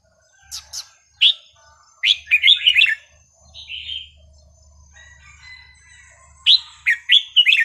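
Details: Red-whiskered bulbul song played to teach young birds: scattered sharp notes leading into warbled, tumbling phrases, a low rumble in the middle, then another lively burst of whistled notes.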